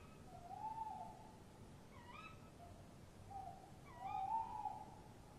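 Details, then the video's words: At 3 a.m. on 23 March 2015 a male tawny owl and his answering mate call at their nest box: wavering low hoots alternate with two sharp, bright, rising calls rich in overtones. "Bosuilen roepen V roept op tak M in kast V weg M gat weg"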